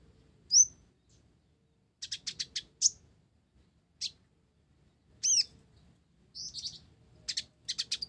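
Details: Blorok olive-backed sunbird, called kolibri ninja, singing gacor isian gereja. Varied high notes: a rising chip, a quick chattering run, single tweets, a looping whistle, and buzzy bursts near the end.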